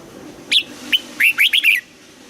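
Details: Red-whiskered bulbul in the old-forest double-note singing style, morning voice training: one brisk phrase of about six bright, slurred whistles, rising and falling.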